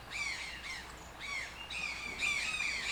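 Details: Toucan calling: hoarse, croaking notes with a rich overtone stack, each bending down then up, given in uneven bursts about every half second, later overlapping as calls run together.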